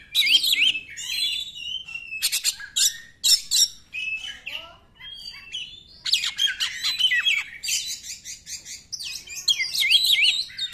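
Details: Oriental magpie-robin 'nembak' song, played to stir quiet magpie-robins into singing: a long, varied run of clear whistles, rapid trills and scratchy chatter. A brief lull comes midway before a dense, energetic final stretch.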